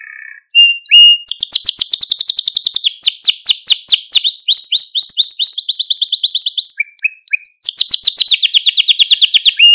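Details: Canary singing a training song meant to stimulate young birds, delivering long rapid rolling trills at high pitch, shifting between tours with fast repeated downslurred notes and brief whistled pips.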